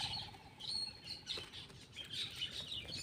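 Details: Black-winged myna feeding, giving quiet, scattered high chirps and short whistled notes, a few thin tonal whistles early on and a cluster of squeaky notes later, over a faint low background rumble.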